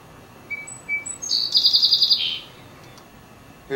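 A Song Sparrow sings a few clear, high introductory notes, then a bright, rapid buzzy trill that drops away at the end, all within about two seconds.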